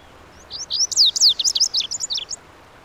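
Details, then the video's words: Lazuli bunting (Passerina amoena) singing a fast, high, jumbled phrase of sharp sweeping notes and short buzzy slurs, about two seconds long, over a quiet background; species of shrubby hillsides in western North America. "The Melodic Song of the Lazuli Bunting"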